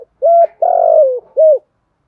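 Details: Spotted dove used as a lure for training other doves, 'thổ đồng' voice: one full phrase of a clear hollow coo, a long rough drawn-out coo falling at the end, then a final clear coo.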